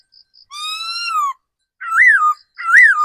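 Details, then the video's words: Decoy laughingthrush, an older forest-caught bird, giving one long rich whistle that falls at the end, followed by two shorter arched, slurred notes; faint high ticking before it starts. "Tiếng chim khứu mồi già rừng"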